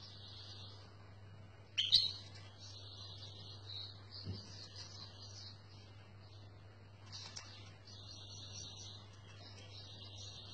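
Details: Nearly white mutation European goldfinch (pied goldfinch) delivers a continuous high, bright twittering song of rapid warbled phrases, with a sharper louder burst near the start, over a steady low electrical hum.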